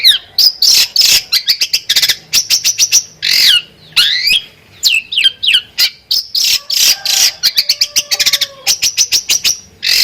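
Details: A champion Long-tailed Shrike (cendet) with a full mimicry repertoire pours out a fast, varied song of harsh chatters, buzzy sweeps and rapid clicks, with a few low, drawn-out whistles woven in.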